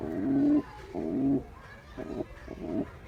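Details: Two clear, low coos from a male pigeon courting a female, followed by softer, muffled cooing, all over a faint background rumble.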